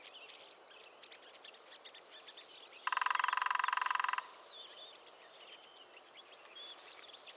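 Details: Lesser spotted woodpecker drumming in the New Forest, a single rapid, even roll lasting over a second amid continuous lively songs and chirps of other birds.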